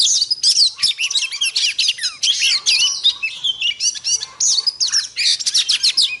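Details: Oriental magpie-robin female calling to provoke males: fast, unbroken stream of sharp chirps, squeaky slurs and bright whistled notes, rich and jumbled, in short bursts.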